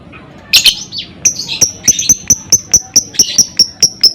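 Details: Lovebird ngekek meant to prompt other lovebirds to sing: a rough, squeaky burst opens the sequence, then a long, regular string of thin, high kek notes follows, with scattered harsher chirps mixed in.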